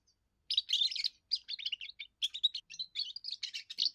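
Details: Young goldfinch singing its first song, which serves to warn off rivals and attract females: after a brief silence, a lively stream of high, rapid twittered and slurred notes runs unbroken for over three seconds.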